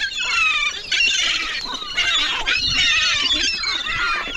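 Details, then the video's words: Gulls crowding in to compete for food, a dense, continuous wall of overlapping shrill cries and squeals from many birds, with no pauses between the calls. "Hungry gulls pile in for food"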